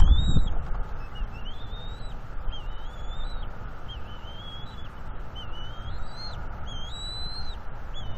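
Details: Young bald eagle on the nest, April 19, 2021, guarding fish from both parents: series of high, piping whistles, each note sliding and dipping, spaced irregularly over steady low wind noise.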